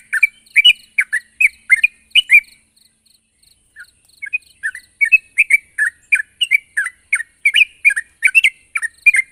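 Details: Sooty-headed bulbul calling out to a rival: a quick series of bright chirps, a short lull with faint notes, then a renewed lively run of chattering calls.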